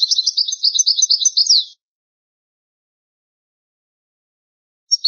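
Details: European goldfinch singing an old, original-style song from a rare tape: a dense, high twittering phrase of almost two seconds ending in a sweeping note, then long silence before a new phrase starts.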